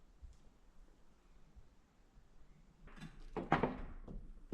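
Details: Quiet indoor room tone, then a burst of knocking, clattering thumps and rustling near the end.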